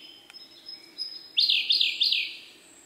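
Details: Song of a male Siberian blue robin: a few thin, high sustained whistles, then a loud rapid rattling trill of repeated high notes lasting about a second before fading.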